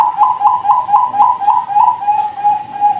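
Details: Zebra dove chicks of the Bangkok line, farm-bred, give a fast rhythmic series of short bubbling coos, about four each second. The coos stay on one pitch and smooth out into steadier notes toward the end.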